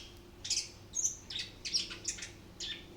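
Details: Orange-headed thrush in the rolling 'ngerol' singing style, delivering its repertoire: short bursts of bright, high chirps and squeaky notes, five or six phrases in quick succession with brief pauses, in a quiet indoor setting.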